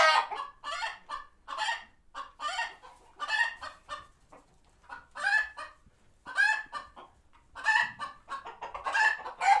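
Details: Sanctuary chickens alert to a passing hawk, repeated harsh clucks coming in bursts of two or three, with brief silent gaps between the groups.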